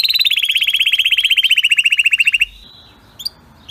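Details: Canary singing a strong, clean training song: a fast trill of rapid high notes repeated about four times a second for over two seconds, then a pause with a few faint chirps.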